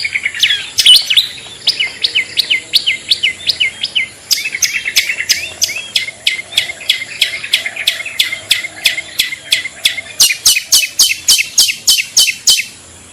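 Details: Long-tailed shrike lure call, clear and strong, used to attract other shrikes: rapid series of sharp high chirps with upward hooks, about three per second, later shifting to brighter repeated notes. Faint insect buzzing sits in the background.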